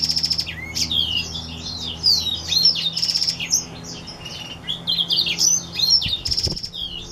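A seedeater hybrid sings a fast, unbroken, canary-like warble of high twittering and sliding notes. A low hum and a few brief rattling noises sit underneath.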